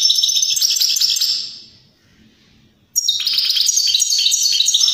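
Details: Vigorous European greenfinch song, used to stir other birds to sing and mate. Quick twittering trills fade out, then a loud new phrase of stacked chirps and rattles bursts in.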